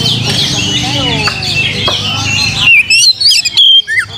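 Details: Oriental magpie-robin song for provoking song: after a noisy jumble of other birds' chirping, loud ringing whistles arrive in quick stop-start bursts with rising and falling slurs.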